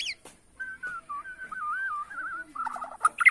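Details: Borneo white-rumped shama, bowing-style singing to stir up rivals: a long, smooth warbling whistle that wavers up and down, ending in a choppy, harsher burst and sharp high notes.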